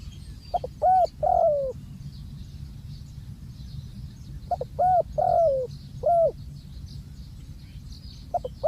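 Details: Spotted dove serving as a ground decoy, repeating its phrase twice: short pip, rounded coo, long falling coo and an ending coo, each phrase about four seconds apart, with faint small-bird chirps and low rumble behind.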